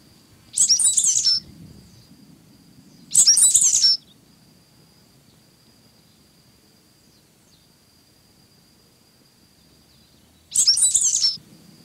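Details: A Sooty Grassquit (Asemospiza fuliginosa) gives short, very high, buzzy song phrases separated by long pauses.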